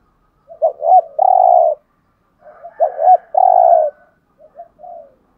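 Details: Cu gáy, or spotted dove, calling with the full 'gáy gọi, thúc, gù' repertoire in the 'hạp bổi' voice to stimulate caged males. Two low phrases of clipped rising notes, each ending in a sustained coo, then a faint short fragment. Otherwise silent.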